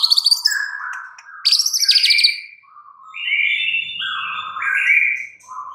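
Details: White-rumped shama in captivity giving rich warbled song, high harmonic-laden phrases alternating with lower smooth whistled notes.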